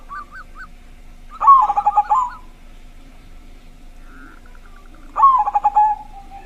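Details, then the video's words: Local zebra dove with a big voice, used to prompt other zebra doves to sing. After a few short rising notes come two bubbling coo phrases about four seconds apart, each a rapid cluster of notes ending in a drawn-out falling tone. "perkutut suara besar, Membuat perkutut lain langsung ikut bunyi"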